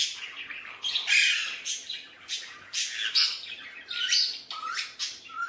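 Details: Tame talking Alexandrine parakeet at play with a mirror, harsh grating squawks repeated about once a second, some with downward-sliding tails, loud and close.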